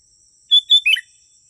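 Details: A single sooty-headed bulbul phrase from a lure recording for wild birds: two level whistled notes followed by a quick tumbling liquid slur, with a faint steady high whine.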